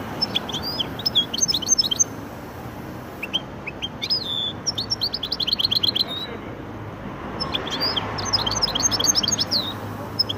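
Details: Goldfinch × canary hybrid singing a rapid, twittering song of high, thin chirps and short trills in bursts, with pauses between phrases and a brief silent gap midway; steady low background hum throughout.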